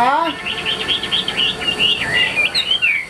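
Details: Chinese hwamei, caged fighting bird, singing in 'ngũ trường' style: a brief low wavering sound at the start, then a run of bright whistled notes and downward slurs.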